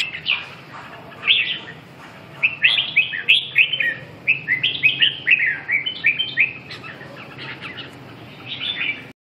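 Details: Red-whiskered bulbul pouring out a long, lively sequence of bubbling whistled notes, each slurring up and down, before falling quiet near the end.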